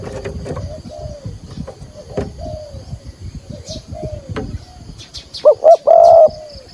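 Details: Spotted dove decoy giving thúc gù calls to draw wild doves toward a trap; mostly faint, distant-sounding coos, ending in a short burst of three loud, distorted coo notes.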